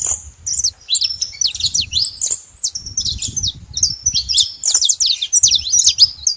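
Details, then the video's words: Free wild saffron finch in its natural surroundings, song made of bright, high chip notes and sweeping slurred phrases, brief pauses between bursts, with faint low background rumble. "canário da terra livre na natureza com belo cantos"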